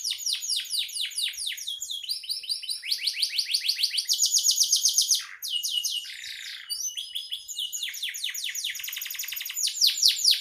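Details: Canary singing continuously as a master song for songbird training: rapid repeated sweeping notes in dense trills, tempo and pitch changing between phrases, with a short lower buzzy burst near the middle; no background sounds.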